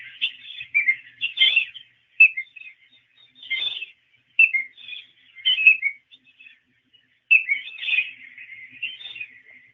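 Piping Plover giving clear, mellow whistled 'peep-lo' notes in short bursts every second or two, with a faint background hiss.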